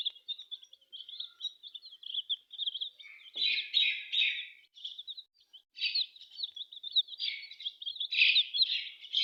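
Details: Chorus of colourful chicken chicks: many shrill, high cheeps overlapping steadily, swelling into louder bursts of frantic peeping every few seconds, with one brief low knock.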